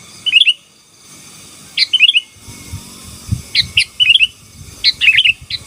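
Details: Gacor song from a sooty-headed bulbul, aimed at overpowering rival birds: clipped sharp notes mixed with bubbly whistled trills, delivered in rapid groups, with some low background rumble.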